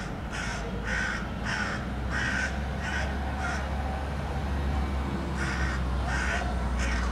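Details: In a park in Helsinki, Finland, in May 2013, a hooded crow loudly objects to a pet cat out on a walk, giving a steady series of about ten rasping caws, each under half a second, over low traffic-like rumble.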